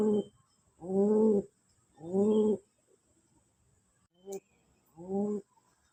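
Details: A pigeon showing love, giving deep, rolling coos, each about half a second long, repeated in slow bursts roughly every second, with a faint high hiss behind.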